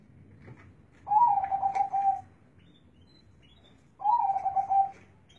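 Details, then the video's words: Two song phrases from a zebra dove with a big, deep voice, about three seconds apart. Each is a short rising coo followed by a trembling, beaded trill lasting around a second, with quiet gaps between. "suara burung perkutut suaranya besar dan ngebass"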